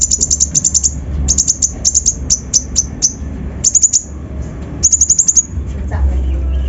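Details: Kolibri ninja (konin) lure song with coarse full-repertoire mimicry, meant to provoke and excite other birds: rapid bursts of high, thin ticking notes in quick trills, separated by short pauses, over a faint low hum.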